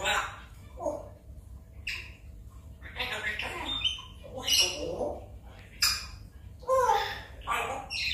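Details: Pet African grey parrot, one and a half years old, chattering during its morning talk with its owner: bursts of raspy squawks, speech-like mumbles and whistled notes in uneven phrases, with short pauses between.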